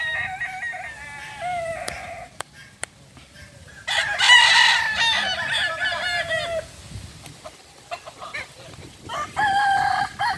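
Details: Native Kokok Balenggek roosters from Solok, West Sumatra, gathered for a joint crowing practice. Stepped, multi-syllable crows open the recording. A louder, dense burst of overlapping crowing follows near the middle, and another bout comes at the end, separated by quieter gaps and sharp clicks.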